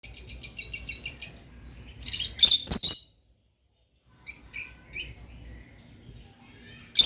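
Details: Two pet lovebirds chirping gently: a fast run of high, clipped chirps, then a pause, a couple of loud harsh squawks, a short silence, and a few more spaced sharp chirps ending in another loud note.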